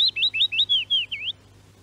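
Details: A willow warbler, from a Norwegian radio archive recording, sings a quick phrase of about seven sweet, slurred whistles that drift gently downward and end on a brief upturned note, then quiet.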